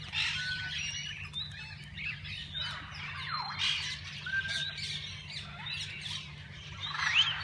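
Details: Parakeets in a walk-in aviary at a parrot park, where visitors can feed and hold them; a chorus of high chirps and short squeaky tweets with some rising whistled notes, several birds calling over a low steady hum.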